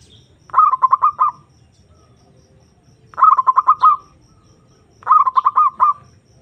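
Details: Zebra dove calling to lure a rival: three bursts of a rapid stuttering series of short notes ending in a slightly longer trill, each burst under a second, spaced about two seconds apart, with a low rumble beneath.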